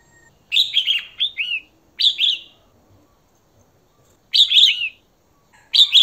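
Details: A female red-whiskered bulbul calls to attract a male with ringing, warbled whistles in groups of rising and falling notes, bursts spaced unevenly across the recording.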